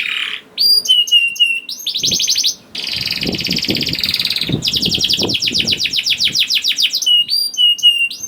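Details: Young canary (kenari paud) sings to prompt silent canaries: whistled slurs, a brief dense trill, then a long buzzy rolling passage and quick rattling trill, ending with whistled notes.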